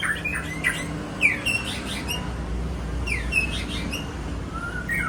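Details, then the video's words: Aceh-type white-rumped shama giving scattered short phrases: quick downslurred whistles and sharp chips separated by pauses, over a constant low rumble. "Murai Aceh"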